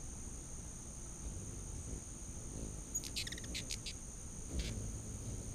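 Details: Hummingbirds crowding a back deck to feed in late August 2019; after quiet, a rapid run of high stuttering chips, then one more chip, all over an unbroken high insect whine.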